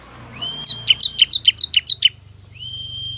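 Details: Ciblek kristal calling wild ciblek: a thin rising whistle leads into nine quick descending chirps, followed by another drawn-out level whistle.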